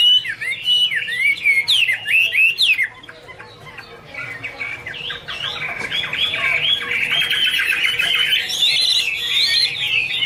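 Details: Chinese hwamei singing a loud, varied run of whistled notes, rapid rising and falling phrases near the start, then after a brief dip a long continuous rippling warble of slurred whistles.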